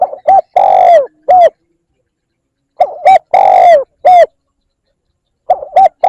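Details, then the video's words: Spotted dove lure call used to attract wild doves. Low, hollow coo phrases repeat about every two and a half to three seconds, each a short note, a long drawn coo, then another short note. No other sounds. "Tiếng chim cu gáy kích bổi"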